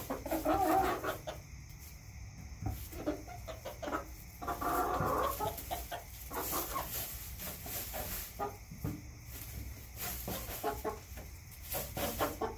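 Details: Chickens kept in a backyard cluck in loose runs of short, throaty notes roughly every third of a second, with a louder drawn-out call near the start and another around midway.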